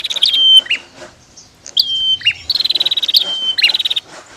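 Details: Female and male bar-winged prinias answering each other. There are three high, thin whistled phrases. Each drops into a lower chip, and fast, even ticking trills run between them.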